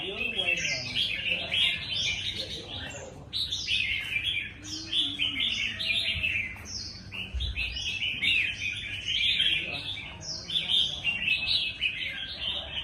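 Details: Red-whiskered bulbuls in a singing contest: dense, overlapping warbled and chattering phrases from several birds run almost without pause, with a faint low background murmur.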